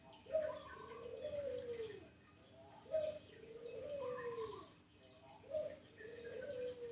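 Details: Local zebra dove singing actively: three cooing phrases about every two and a half seconds, each a short higher note then a long, drawn-out descending coo, over a steady low hum and faint room noise.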